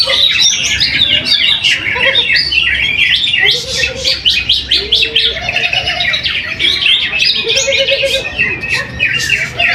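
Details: A champion greater green leafbird is caged at a weekly practice singing match in Trowulan, Mojokerto. It sings a long, energetic run of rapid chirps, trills and bright whistles. Other contest birds and low human chatter fill the background.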